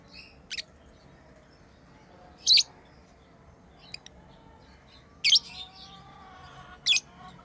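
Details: Tame lovebirds at play give sparse, shrill chirps, single bursts spaced one to two seconds apart, with faint soft twitters between.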